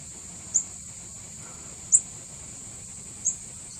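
Mishmi Wren-babbler giving short, very high, thin notes about every one and a half seconds, over a steady shrill insect drone.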